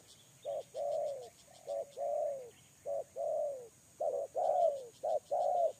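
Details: Lure-bird spotted dove giving rich, low coos in uneven groups, some long and drawn out with a falling tail, others clipped and short. Faint high insect-like ticking sounds in the background.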